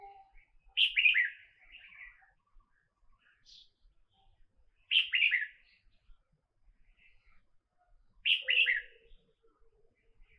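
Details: In Cambodia, a red-whiskered bulbul gives short, bright, bubbling phrases of two or three quick notes, repeated about every three to four seconds, with faint chirps between.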